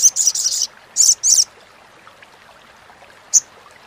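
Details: Crimson sunbird (sogok ontong or sogon) giving crecetan chatter, meant as a tutor recording for contest birds: three short bursts of very high, dry buzzy notes early on, then quiet, one last brief note near the end.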